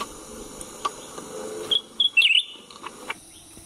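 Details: Cucak ranting recorded at a roadside while being lured for trapping with a cage: a short burst of bright, sharp chirps and a quick twittering flourish midway, over steady insect buzz and faint human activity.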